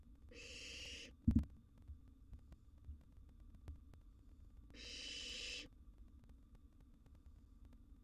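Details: Wild barn owl nestling in a monitored nest box at mealtime with a sizeable gerbil, giving two broad hissing wheezes about four seconds apart, a loud thump between them and faint low rumbling noises.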